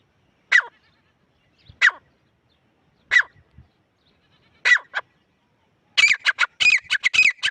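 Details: Grey francolin male and female in a hunting context: four separate harsh notes spaced over a second apart, then a sudden rapid burst of loud, scratchy squawks at the end.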